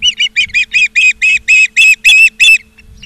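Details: Osprey calling at the nest in Charlo, Montana, on the afternoon of 17 August 2023: a loud, insistent series of about eleven whistled chirps, growing longer and stronger, then stopping abruptly; faint hum behind.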